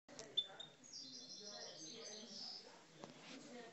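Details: Caged Algerian parva European goldfinch singing aggressively; a fairly faint run of high, thin twittering notes around the middle, with a soft low indoor rumble behind it.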